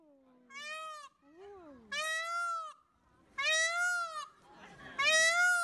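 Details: Peacock giving loud calls: four strident, nasal wailing cries each about half a second long, with harmonic-rich tone, separated by short gaps, plus a softer lower bleating note between the first two.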